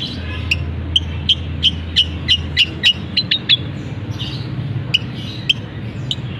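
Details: Long-tailed shrike kept in a cage, delivering mimicry including canary-style elements: a quick, fairly even run of sharp clicking chips, then scattered single notes, over low hum.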